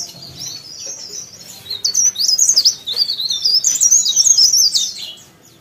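A leaf warbler sings a fast, high, thin twittering phrase of sweeping notes for about three seconds, over faint background hiss.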